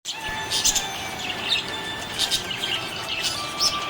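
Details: Happy budgerigars chirping: dense, fast high-pitched tweets and warbles in overlapping bursts, with steady faint tonal lines underneath throughout.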